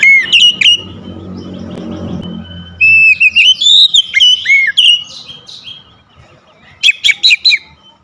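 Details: Oriental magpie-robin, a home-kept bird, sings loud clear whistled phrases with sweeping slurred notes and sharp chips, delivered in bursts separated by pauses, over a steady low background hum.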